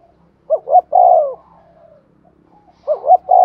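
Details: Female spotted dove call used as a lure so other doves coo. A three-part coo trails into a soft murmur, and another coo begins after a pause of about two seconds.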